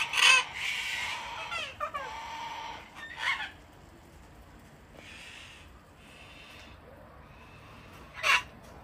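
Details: Wild cockatoos in a flock hand-fed on an Australian home deck in cold, wet winter weather: a loud raspy screech opens, a few more harsh squawks follow, then a quieter stretch before one last sharp screech.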